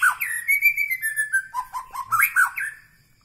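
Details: Murai batu, the white-rumped shama, Medan Bahorok variety, gives a rapid run of loud, pure whistles that step down in pitch, then swoops back up with bright, ringing notes before fading out.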